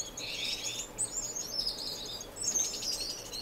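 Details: Dense, overlapping high-pitched finch twittering and buzzy notes fill the whole stretch; non-breeding birds kept in an indoor community aviary, Edmonton, Canada, March 26, 2015.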